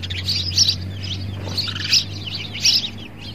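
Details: Sparrow fighting himself in a mirror, uttering three emphatic high chirp clusters about a second apart with softer twittering between, over a constant low hum.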